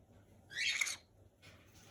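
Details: Green-cheeked conure giving a single short harsh squeal lasting about half a second, followed by a fainter rough squeak, in a quiet indoor room; such squealing means the bird is content or playing.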